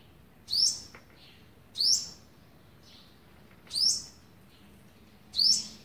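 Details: Olive-backed sunbird feeding young on day 11, 27 November 2019: four sharp, very high, downslurred chip notes roughly every one and a half seconds against a quiet, faintly humming background.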